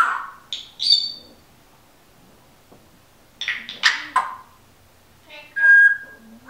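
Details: Pet female Timneh African grey parrot indoors, another pet bird in the background: bursts of squeaky, speech-like chirps and clicks, several loud syllables in quick succession, then a clear whistled note near the end.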